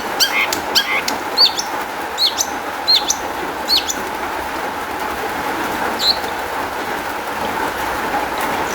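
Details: Long-tailed shrike singing, a recording meant to lure other shrikes into song: short sharp high notes given in irregular bursts about every second, some clicking, with a constant droning hum behind.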